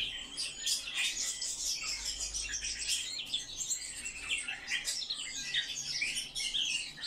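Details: Rapid, rich warbling from a Eurasian blackcap, crowded chattering notes and short whistles pouring out continuously over seven seconds.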